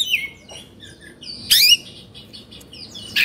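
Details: Agitated Oriental magpie-robin from Indonesia, fluffed with tail opened, makes scattered high whistled notes and one loud harsh rasping burst midway, with quiet pauses between.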